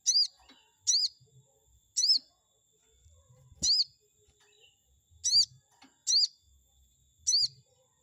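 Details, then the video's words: Chestnut-backed scimitar babbler song played to anger a rival bird: seven piercing, arched high notes spaced roughly one second apart, each short and clear, over faint low background noise. "pancingan burung sogon auto emosi || bikin respon sogon lawan"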